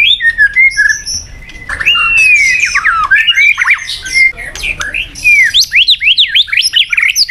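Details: White-rumped shama (murai batu) song used as a stimulus to rouse a sluggish bird into fighting form: a rapid, varied run of clear whistled slurs mixed with harsh, scratchy notes. The phrases rise and fall without a pause.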